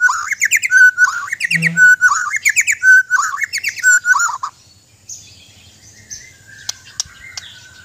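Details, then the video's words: White-rumped shama of Borneo singing a fast, rich run of repeated chirping, warbled phrases for about four seconds, loud and varied, followed by quieter scattered clicks and ticks. "Indahnya suara dan gaya burung murai batu"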